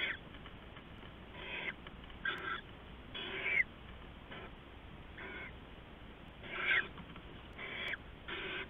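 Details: Before dawn on 15 November 2015, an adult owl brings rats to its owlets: rough, airy hisses roughly half a second long recur every second or so, some louder than others, with a faint scratchy edge.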